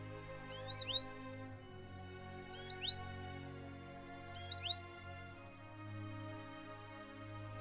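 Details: American Goldfinch from Ontario, Canada, a common backyard-feeder visitor, giving three short bursts of high, rising, twittering notes about two seconds apart, over soft steady background music.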